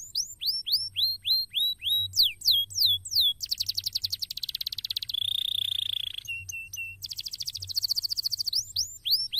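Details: A cassava-garden recording meant to coax canaries into song: a canary delivers quick repeated down-slurred whistles, then a rapid rattling trill, a drawn-out buzzy tone and clipped flat notes, ending with more trills and sweeps.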